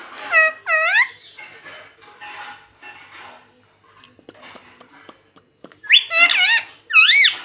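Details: Pet rose-ringed parakeet giving loud, harsh, arching screeches: two sharp calls at the start, a stretch of softer chatter, then a burst of three rising-and-falling squawks near the end.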